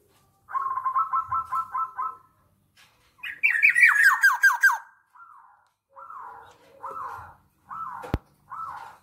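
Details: A black-naped oriole opens with a rapid buzzy trill of about eight notes, then a quick series of harsh downward-sliding notes, then several short nasal phrases spaced apart. The setting sounds quiet.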